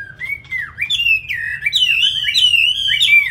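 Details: Loud whistled song from a caged Chinese hwamei kept for fighting in Hanoi, Vietnam: a smooth falling whistle, then a dense, continuous stream of bright, warbling phrases over a soft low hum.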